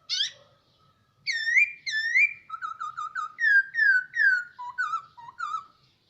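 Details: Caged hwamei kept for a year, singing indoors: loud clear whistled notes, a brief high opening burst, then repeated rising and falling slurred whistles in quick varied series, with a faint low hum beneath.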